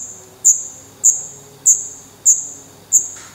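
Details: Black redstart nestling calls from Portugal, May 2020, camera beside the nest: five separate piercing, very high notes, each fading quickly, about every half second, over a quiet background.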